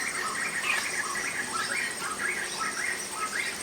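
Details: A resident group of White-crested laughingthrushes in the Himalayan foothills chatter together in a steady run of short, rising and falling phrases on a monsoon evening after a day of rain. A constant hiss of rain sits underneath.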